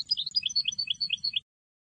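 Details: Sfax-style song of a Tunisian European goldfinch, a 2022 recording made for teaching birds: liquid twittering notes jumping up and down in quick succession for about one and a half seconds over a soft low hum.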